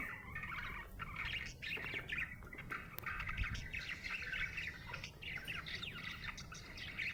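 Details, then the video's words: A budgerigar in a happy mood chatters in dense, scratchy warbles and short squeaks, almost without pause, over steady low background noise. "Happy budgie chirping sound"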